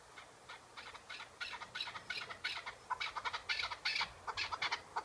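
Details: A pet Chukar partridge gives harsh, clucking chuck notes, about three per second, growing louder and quicker into a rattling chorus.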